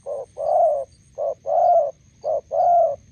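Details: Spotted dove, a decoy bird encountering a wild bird at a roadside trap setup in Gia Lai, Vietnam. It gives loud, close, rhythmic coos, three pairs of a clipped note and a longer rounded one.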